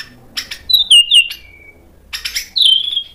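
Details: White-rumped shama phrase used as a lure for other birds to answer: short high chips, a sliding descending whistle, a pause, then another bright falling whistled note.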